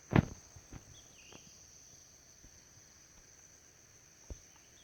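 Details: White-bellied woodpecker pecking a tree trunk while looking for food deep in forest, captured by smartphone through a telescope: one loud sharp knock at the start, then a few scattered fainter taps, over a steady high insect hiss.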